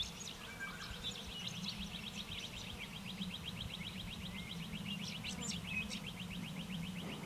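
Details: In November 2016 in the Capertee Valley, NSW, during the breeding season, a male Rufous songlark gives a fast, even run of dry, ticking high notes, about nine a second, with a few sharper whistles above and a low steady rumble beneath.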